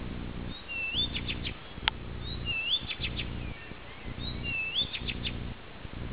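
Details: On a summer night, 11 June, in Peränne, Ähtäri, a Blyth's reed warbler repeats a phrase three times: a rising whistle followed by a quick cluster of ticking notes. A steady low hum runs beneath, with one sharp click midway.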